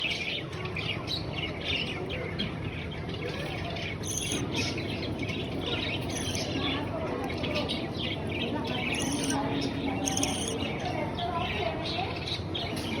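Young budgerigars keep up a busy, overlapping chatter of short, scratchy chirps and squeaks.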